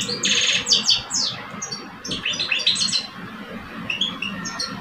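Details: Goldfinch song contest in Algeria between two caged males, one older and one aged two. Harsh buzzy bursts open, followed by a jangling, twittering phrase and a few softer whistled notes near the end, with low background hum.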